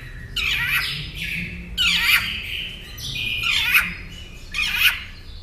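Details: Northern mockingbird singing for a caged-songbird training recording: four loud, harsh, squawky phrases delivered roughly every second and a quarter, each a rough burst with a downward sweep.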